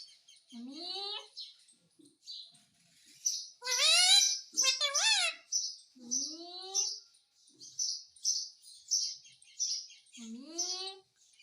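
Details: Hindi-speaking pet parrot asking for roti: a rapid series of harmonic, voice-like phrases, many rising at the end, with short gaps and a steady high hiss behind them.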